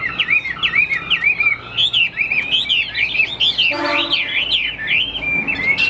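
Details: Caged Chinese hwamei, kept as a fighting bird that fans its wings, pours out rapid zigzagging whistled phrases, with a short harsh buzzy burst in the middle before the melodious warbling resumes.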